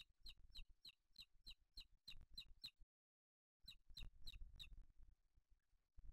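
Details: At a booted eagle nest in Spain, 8 July 2023, where the male delivers a small bird to the older chick: rhythmic high sharp piping notes in a run, a short pause, then more notes tailing off amid low rumbling.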